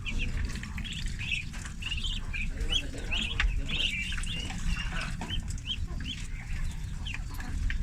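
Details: Young ducklings on a farm, thirty of them, peep during feeding: a chorus of short, high, slightly rising notes in quick, irregular succession. A heavy low hum runs underneath, with some knocking sounds.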